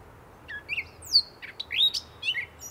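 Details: Gray catbird song with a few squeaky notes, a loud high downslurred whistle, then a rising nasal slur and scratchy chatter, varied phrases against quiet background.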